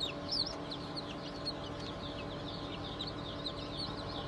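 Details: Chicks just hatched on 20 June 2023, of Cream Legbar, Sussex, Sultan and Fizan breeds, keep up a busy chorus. Thin, high cheeps slide down in quick overlapping succession, softer and steady, above a persistent low hum.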